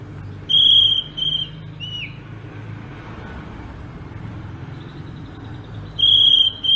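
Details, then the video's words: Greater green leafbird from Sumatra in ngerol rolling song style: a long, steady, pure high whistle, a short pause with a faint slurred note, then the bright whistle returns near the end over a low background hum. "kicau burung cucak ijo sumatra ngerol"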